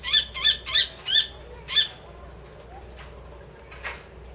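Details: Captive common kestrel at Tama Zoo, rescued in Kichijoji in 2013, filmed April 2016, giving five loud shrill harsh notes in quick succession, then a quiet pause with one more faint note near the end.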